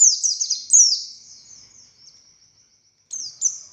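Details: Oriental white-eye of the buxtoni race: quick high descending twitters that fade into a thin, drawn-out whistle, followed by silence and two short, sharp high notes at the end.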